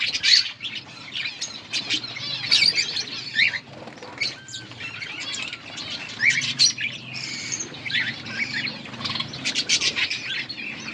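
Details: Budgerigars feeding chicks during breeding: scattered scratchy chirps, warbles and clicks over a steady low background rumble, more broken and slightly quieter than continuous chatter.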